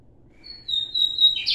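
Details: Lined seedeater, a Brazilian bird of open grassy fields, singing high: a long pure whistled note held steady, ending in the start of a harsh, buzzy burst.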